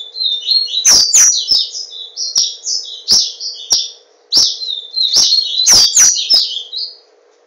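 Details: Caged papa-capim seedeater from Garanhuns, Pernambuco, singing almost continuously: rapid chains of high buzzy, slurred notes in two long strophes, with loud clicks and an underlying electrical hum.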